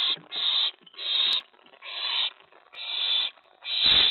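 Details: Owl at the nest at night on May 24 2017, around prey deliveries of a mouse and a rat, with an owlet stashing the rat. Harsh, breathy hissing screeches, each about half a second long, come five times with short gaps between them.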